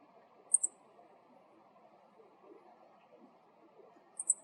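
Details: High, clipped double chi-chi ground calls from a male Meadow Bunting, one near the start and another near the end, over faint low ambient noise.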